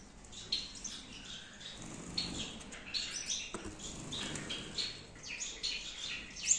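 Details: Several captive Gouldian finches in a breeding aviary in Peshawar make scattered high chirps and short thin notes, with brief wing flutters and clicks among them.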